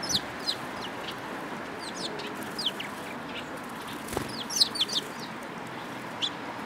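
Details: Several sparrows giving quick high chirps and short descending twitters in loose bursts, with a brief low thump midway and constant faint background noise.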